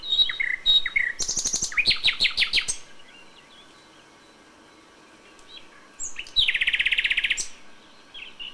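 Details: Common nightingale in May at dawn, delivering varied phrases: short whistles, then fast rattling strings of sharp notes, a pause of a few seconds, and a loud, buzzy rapid trill held for about a second.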